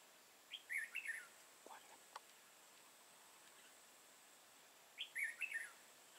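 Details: Red-whiskered bulbul used as a lure bird during trapping in Vietnam on 31 March 2018. A crested bird with a dark bib gives competitive song. Two short, bright, chattering phrases come about four seconds apart, with a faint steady high hiss.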